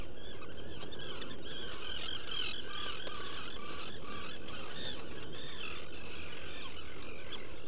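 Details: Black guillemot calling inside its nesting burrow on Seal Island NWR, Maine, filmed by a burrow camera early on 14 June 2018: continuous overlapping high, wavering whistles and squeals throughout, over low background noise.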